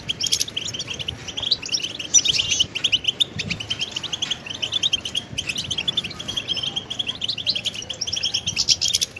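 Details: Goldfinch training song: a long, busy, high twitter of quick chattering notes and tinkling trills in bursts, with a faint low rumble behind.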